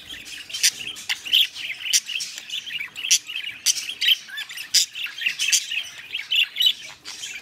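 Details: Pet budgerigars kept by their owner chatter while mating: dense, fast warbling of high scratchy notes with sharp clicks and short squeaky chirps, in bursts roughly every half second, no other sounds.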